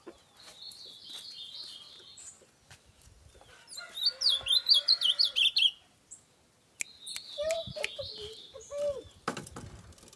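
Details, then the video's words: Bananaquit (sibite) at Itaitinga, Ceará, Brazil: a rapid high buzzy zigzag trill of sharp notes lasting about two seconds, between softer high twittering, with a chicken and other domestic sounds nearby. "pássaros sibite"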